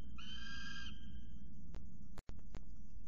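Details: Young male peregrine falcon screaming at the CSU Orange nest scrape, 12.12.19, after chasing off his mother; one harsh harmonic scream under a second long, then a few clicks and knocks over steady low background noise.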